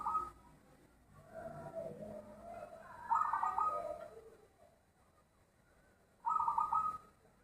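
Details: Zebra dove with a big voice: rolling, trilled coo phrases near the three-second and six-second marks, with soft murmuring notes and steady hiss in the background.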